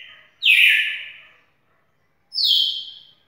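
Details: Champion red-cowled cardinal delivering two strong whistled phrases about two seconds apart, the first broad and falling, the second higher and shorter, with no other sounds around.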